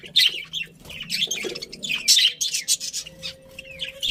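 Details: Budgies in a colony chattering happily, several birds overlapping in busy, scratchy, warbling chirps with squawky notes throughout, a low hum beneath.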